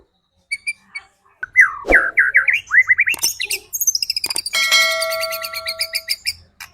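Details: White-rumped shama song used to provoke other shamas into getting agitated and singing quickly: a few sparse high notes, then rapid rising whistled phrases and fast trills, ending in ringing, rapidly repeated high metallic notes.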